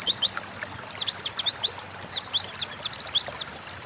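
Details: Oriental white-eye (pleci) in lively 'gacor ngalas' forest-style song, used as a training lure to prompt kept birds to sing; rapid run of high, sharp, slurred whistled notes, rising and falling, packed almost without pause.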